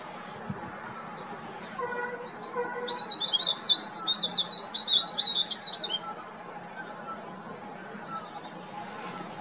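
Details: Loud spring call of a verditer flycatcher from an oak treetop in the Himalaya, marking territory before breeding: a rapid, high, jumbled trilling warble lasting about three seconds, with lower repeated notes from a nearby hill barbet.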